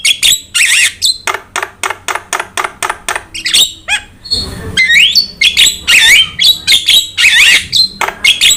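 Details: Starling (jalak) song for prompting and tutoring birds: a fast regular train of harsh clicking notes, then varied warbling whistles and trills mixed with squawks.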